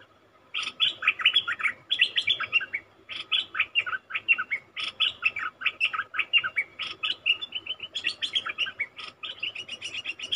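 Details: Caged cream-vented bulbul, caught from the wild, pouring out a long, busy stream of rapid bubbling and chattering notes in clustered phrases, barely pausing throughout.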